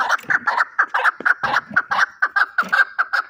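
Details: Fighting chukar partridge in Shahritus, Tajikistan, calling loudly with a steady string of hoarse, chuckling notes, roughly four or five each second.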